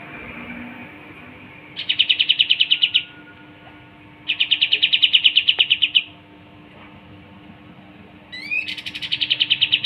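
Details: Pied triller song: three dense, even trills of rapid buzzy notes near the same high pitch, each about a second long with pauses between, the last opening with quick rising slurred notes; a faint steady hum underneath.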